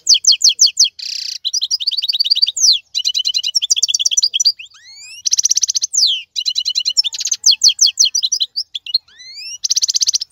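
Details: European goldfinch, a wild bird from 2022: an almost continuous, lively stream of chattering twitters broken by several harsh buzzy trills and rising whistled glides, all high-pitched and quick.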